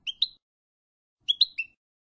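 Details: European goldfinch song on a training recording for teaching young goldfinches: two quick bursts of bright, tinkling twitters, each of two or three clipped high notes, about a second apart, in otherwise clean silence.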